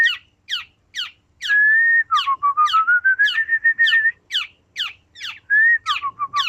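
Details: Black-naped oriole singing: long, pure whistled notes held steady or gently rising, threaded through a fast run of sharp, downward-sweeping chirps repeated about three times a second.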